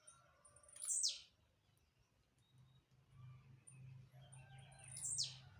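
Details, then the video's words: Jumping blue-black grassquit sings two brief, harsh buzzy downslurred notes about four seconds apart, over a low steady hum. "Tiziu pulador não tem lugar ruim pra ele cantar"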